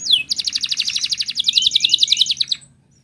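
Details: Wild canary singing, used to draw out song in other canaries: one high slurred note leads into a rapid, even trill of bright repeated notes lasting over two seconds, then silence.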